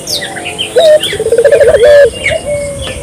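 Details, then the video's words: Lively Barbary dove cooing, meant to get local doves calling: one short low note, a rapid rolling burst of pulses, then a long steady coo ending in a dip, with faint chirps from other birds behind. "suara burung puter gacor,merangsang burung puter lokal ikut gacor"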